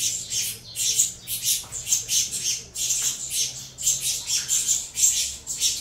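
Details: Feeding time for captive saffron finch chicks bred from Venezuela CMA and CVK 103 lines: bursts of grating, hissy high calls separated by short gaps, rising and falling in loudness, with a faint low hum.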